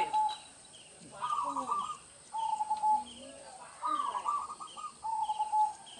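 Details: Local zebra dove singing in a rural village setting, a recording meant as a lure for trapping doves; bursts of rapid, bubbly cooing notes repeat about every second, softer low coos between phrases, over a steady high hiss.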